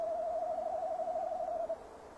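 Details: A male tawny owl calls by its nest box on a mid-December evening at 17:10, recorded on a box camera. One even, trembling low hoot is held for under two seconds, then fades.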